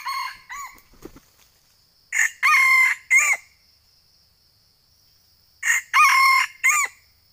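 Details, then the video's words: Red junglefowl on Sumatra, calling as a trapping lure in a eucalyptus plantation: two loud ragged crows about four seconds apart, each in several harsh segments, with brief softer calls before and a thin insect whine throughout. "MIKAT AYAM HUTAN DILOKASI INI TIDAK PERNAH MENGECEWAKAN"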